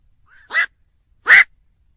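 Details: Black-crowned night heron giving two harsh, hoarse barking calls about 0.8 seconds apart, each short and explosive, with a faint thin squeak just before the first; otherwise quiet background.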